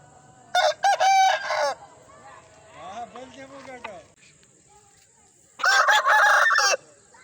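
Two loud, harsh Aseel rooster crows about five seconds apart, each a drawn-out stepped phrase, with a softer, lower crow faintly between them.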